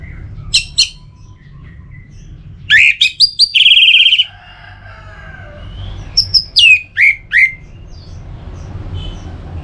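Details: Orange-headed thrush (anis merah) song meant to stimulate singing: scattered sharp notes, a loud phrase ending in a harsh buzzy trill, then a series of high, steeply downslurred whistles.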